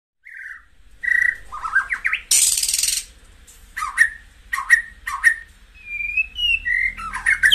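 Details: White-rumped shama song used to stimulate caged birds: varied whistled notes, some rising and slurred, with sharp clicks and a loud harsh burst, then sweet fluting phrases.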